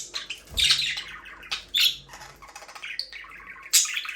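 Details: Pet budgerigars, a breeding pair in an aviary, chattering steadily with buzzy chirps, short rising whistles and squawks, about one burst each second.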